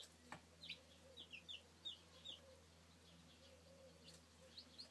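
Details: Young chicks, recorded in 2013, peep repeatedly with sharp, high, downward-slurred notes, roughly one or two per second and sometimes doubled, over a quiet hum with an occasional click.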